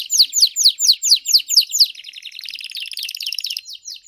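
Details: Three master singing canaries: strongly repeated downward-slurred whistles at a steady pace, followed by a dense, buzzy rolling trill held for nearly two seconds.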